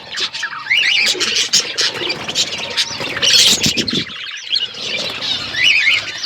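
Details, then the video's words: Parrots chirping while they eat, recorded February 25, 2024: shrill squeals and quick upward-sweeping chirps in irregular bursts, with a brief quieter gap midway. "Beautiful Parrot eating food birds chirping sounds"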